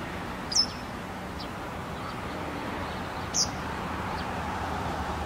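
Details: Japanese wagtail calling while gripping a big caterpillar in its beak, which it held for tens of minutes: two sharp, high 'pii' notes about three seconds apart, each a quick piercing whistle, with steady low background noise.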